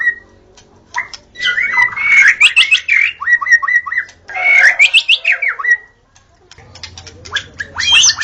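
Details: A white-rumped shama sings at dawn in a recording used to lure shamas: rapid sequences of clipped whistles and stuttered notes, a pause, then sharp high calls return.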